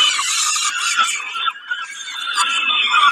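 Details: Peregrine falcon at Kawęczyn during a snack, 20 May 2022, uttering a steady harsh screech with a brief faltering in the middle, coarse and high.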